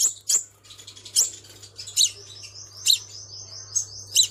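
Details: Crimson sunbird, a captive bird used as a lure call, gives sharp, very high chips about once a second, some doubled, with a thin buzzy trill running between the later notes.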